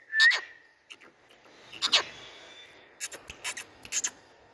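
Indian ringneck parakeet giving a quick rising whistle, then sharp, harsh screechy notes in short bursts, with a few clipped squawks toward the end.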